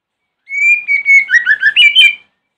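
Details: White-rumped shama singing in the morning as a lure to provoke other shamas to answer: a long clear whistled note, then a quick run of rising, slurred whistles and chirps in one continuous phrase.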